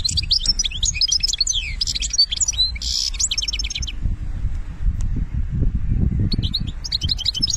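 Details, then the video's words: European goldfinch from Algeria singing in the benna style: bursts of rapid, high, tinkling twitters and buzzy trills for about four seconds, then a pause and a shorter burst, over steady low rumbling noise. "ذوق البنة للحسون"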